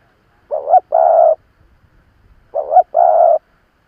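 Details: Spotted dove kept as an experienced decoy to draw wild rivals: two phrases two seconds apart, each a quick quavering note followed by a sustained mellow coo. Faint soft noises lie between them.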